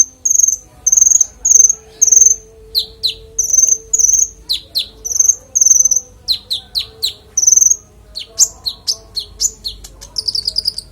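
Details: Konin singing clearly, recorded as master audio for teaching songbirds: ringing very high buzzy notes in pairs, then quick down-slurred whistles and sharp chips, ending in a fast jumbled flourish.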